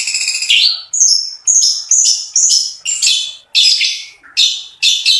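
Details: Long-tailed shrike delivering a luxurious song packed with imitations, coarse notes and speedy rolls; sharp high phrases with falling tails, repeated about twice a second in separate clipped bursts.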